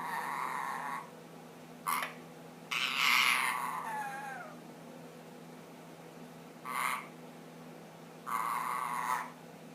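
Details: A 10-month-old pet ring-necked parakeet makes funny noises: five harsh, raspy bursts, each about a second long, with one brief downward-sliding squeak between them, in an otherwise quiet room.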